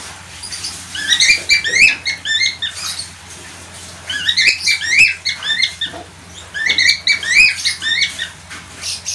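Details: Budgerigar giving repeated groups of rapid twittering chirps, sharp upswept and downswept notes in three bursts roughly two seconds apart, over a low electrical hum.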